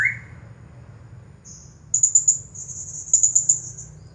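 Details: Blue-crowned hanging parrot, a champion singer, in 'nagih hutang' style: after a brief lower note and a quiet pause, a stretched high, shrill trill with rapid pulsing chirps runs for over two seconds.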